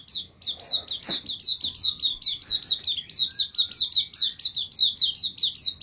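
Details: White-eye song on a master recording for training songbirds: a fast, steady run of high, bright chirps, each sliding downward, about two or three per second, with a few faint low knocks behind.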